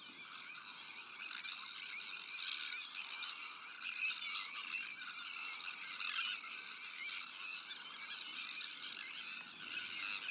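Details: At a Sandwich tern breeding colony also holding black-headed gulls, Arctic and common terns, a constant, dense racket of harsh, creaking calls continues for the whole stretch with little variation.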